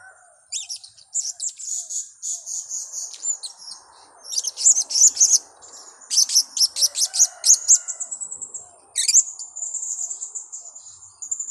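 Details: Blue-crowned hanging parrot lure call for trapping: long runs of rapid, very high-pitched squeaky chattering notes in quick series, broken by short pauses and a thin sustained whistle, with faint low background murmur.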